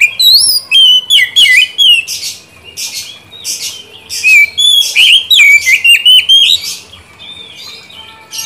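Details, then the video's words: Oriental magpie-robin song used as a trigger for a bird that has stopped singing: energetic, varied whistled phrases, sweeping up and down, mixed with scratchy chatter, in dense repeated bursts with a brief quieter gap midway. "Pancingan dan terapi kacer macet/bahan pasti langsung nyaut rajin bunyi"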